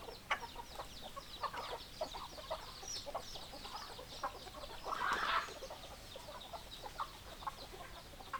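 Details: Hens clucking: a dense run of short, overlapping clucks from many birds, with thin high chirps above and a louder rough burst near the middle.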